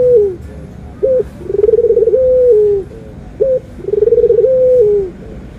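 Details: Puter dove anggungan, from a white versus brown Barbary dove comparison: two full phrases, each a quick upslurred note followed by a purring trill that smooths into a sustained falling coo, in a quiet setting.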